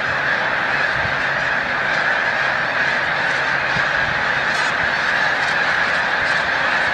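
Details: Snow geese during peak spring migration at Montezuma, New York, on 7 March 2022; the huge flock gives a ceaseless roar of overlapping nasal honks, with a faint low hum underneath throughout.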